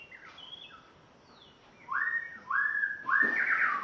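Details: A captive spotted morning-thrush from Tanzania on its first day in its new home sings faint high notes, then three strong, clear rising whistles, finishing with a louder, fuller note.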